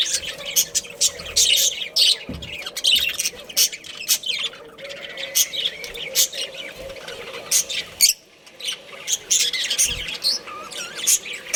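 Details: Long stretch of a budgerigar breeding pair chattering: rapid high chirps, clicks and squeaky warbles in uneven bursts, pausing briefly at about eight seconds before going on.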